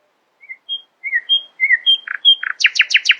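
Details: Early-morning song of a nightingale: varied whistled notes at shifting pitches, a couple of harsh buzzy bursts, then a rapid series of loud chattering notes at the end.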